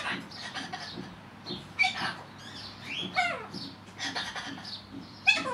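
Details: Male cockatiel kept as a pet, talking away to himself when unwatched: mixed squeaky chatter with clear whistled upslurs and downslurs, and a sharp squeak near the end.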